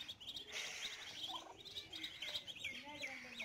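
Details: Swimming chicks peep in a busy overlapping chorus, the high, slightly downslurred notes tumbling over each other, with a faint lower murmur underneath.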